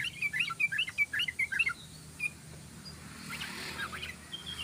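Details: Lure recording of a yellow-vented bulbul in fast 'ropel' song: a quick run of bright, bubbly chirping notes lasting under two seconds, then faint distant twittering over low background noise.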